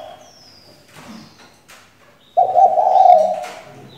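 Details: Female spotted dove as a lure to set males singing: after faint rustles and a thin high whistle from another bird, one loud, throaty, sustained coo lasting over a second.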